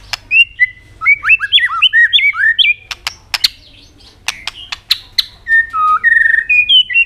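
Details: White-rumped shama song aimed at provoking other birds, full of quick, bouncing whistled notes and sharp clicks at irregular intervals, ending in slower, clear sliding whistles.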